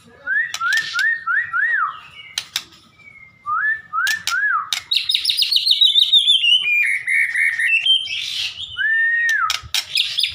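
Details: White-rumped shama in full song while looking for a companion: repeated looping whistled motifs in threes and fours, sharp clicks, then a higher buzzy descending series and varied whistles.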